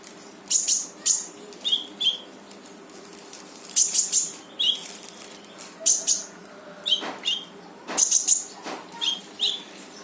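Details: Vigorous 'gacor' rapid-fire song of a brown-throated sunbird, meant to set off a sunbird that has stopped singing: thin piercing chips and brief whistles in pairs, scattered irregularly, with a few soft clicks.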